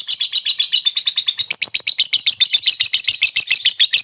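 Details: Lovebird call used as a lure to provoke another lovebird into calling back, a fast series of shrill, harsh chirps repeated about four times per second, steady and unbroken, slightly louder and denser from the midpoint onward.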